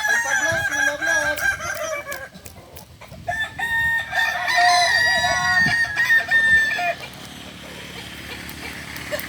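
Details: At a Kukuak balenggek chicken contest final in Ampang Kualo, Solok city, on 8 September 2024, a rooster's long crow rises, then holds steady and wavers for about four seconds after earlier overlapping crowing, with murmuring people behind.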